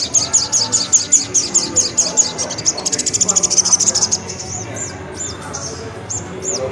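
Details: Sunbird (kolibri ninja) delivering nerecet song: very high, quick chattering trills sustained for about four seconds, then separate thin upswept notes, over a low background hum.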